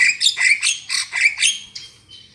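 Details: Javan myna lure call for trapping: a dense string of about eight loud, rasping, nasal squawks, then fading wheezy whistles.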